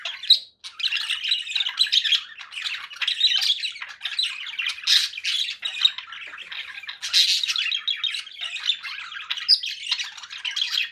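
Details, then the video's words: Long stretch of grating conure parakeet chatter, steady buzzy squawks with occasional sharper, louder screeches and almost no pauses. "7 hours of relaxing conure parakeet sounds"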